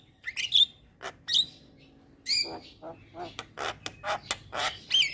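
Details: Javan myna, a caged champion bird singing nonstop, gives scattered harsh chattering notes and short whistled squeaks with gaps between bursts.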